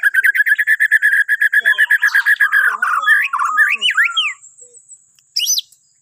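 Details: Morning song of a Bornean white-rumped shama used to get other birds singing: a fast, evenly repeated series of sharp notes for over two seconds, then swooping whistles, a pause and a final high burst.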